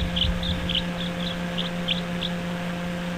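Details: A young nestling Barn Owl, learning to stand on wobbly legs in its nest, gives a rapid run of about eight short, high chittering notes over two seconds. A steady low electrical hum runs underneath; evening, 11 April 2013.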